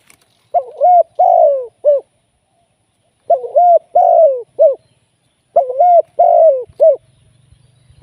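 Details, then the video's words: Spotted dove kept as a live decoy for trapping, giving three clear coo phrases about every two and a half seconds, each a short note, a long drawn-out falling coo and a brief closing note; faint low hum at the end. "เสียงนกเขาใหญ่ ต่อสด"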